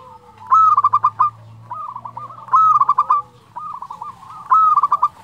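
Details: Actively singing local Zebra dove (perkutut) with a flute-like 'nyuling' voice: clear purring phrases of quick, bubbling coo pulses that begin with a higher, sharper note, repeated about every two seconds, with a softer second dove answering between phrases.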